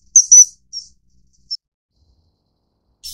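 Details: Common kingfisher (Alcedo atthis) during mating: a few short, shrill, high whistled notes, a quick double pip, then single thin notes spaced by pauses, with a last note at the end over otherwise silent background.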